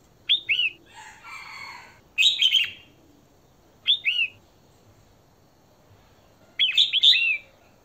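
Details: Female red-whiskered bulbul calling to attract a male; clear whistled slurred phrases alternate with one harsh, buzzy rasping burst, followed by scattered chirpy phrases and a longer pause.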